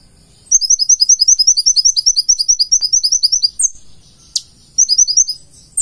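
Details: Purple-throated sunbird in full-isian song: a long three-second run of quick, piercing high notes, then a sharp descending slur, a brief gap and another short high burst.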